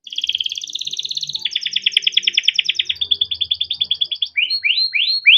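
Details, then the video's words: Male canary kept in captivity, singing a long, continuous 'cuit cuit ngerol' rolling song used to train young canaries: fast buzzy trills of repeated notes, then steady rattling rolls and slurred upward-sweeping whistles toward the end. "burung KENARI CUIT CUIT NGEROL untuk pancingan kenari biar gacor || kenari gacor panjang"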